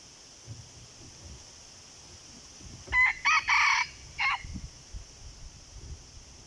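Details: Red junglefowl answering a decoy: after several seconds of quiet, a single four-part crow rings out with short and longer harsh segments, over a steady high insect drone and faint rustling.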